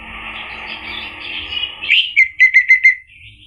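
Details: Orange-headed thrush lure song to make a bird respond and sing. A long raspy buzzing phrase with low hum beneath is followed by five clear, evenly spaced whistled notes, then a faint trailing tone.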